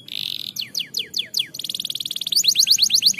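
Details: Canary song to stimulate lazy canaries: opens with a buzzy held note, then sharp descending whistles, a fast rattling trill, and a rising series of quick bright slurred notes.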